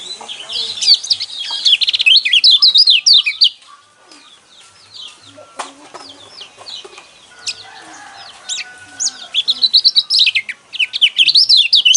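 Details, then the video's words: Yellow white-eye (pleci kecial kuning) song used to provoke caged birds into singing: rapid high twittering phrases of rising and falling notes in two bursts, separated by a quieter stretch with scattered soft chirps. "burung pleci kecial kuning mana yang nggak kepancing emosinya dengan suara seperti ini"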